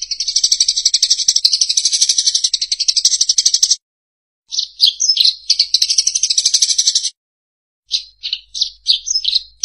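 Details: Eurasian tree sparrow masteran recording for songbird training: long bursts of fast, high, buzzy chatter alternate with clusters of sharp, varied chirps, with brief silences between the sections.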